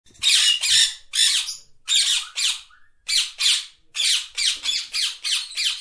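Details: Parrot giving harsh, raspy squawks in quick bursts, about a dozen short grating calls over six seconds, some paired close together, with brief silent gaps and no other sounds.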